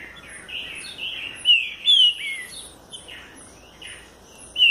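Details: Green-winged saltator from the south giving clear whistled song with quick slurred notes, softer warbling at the start and strong paired whistles midway and at the end.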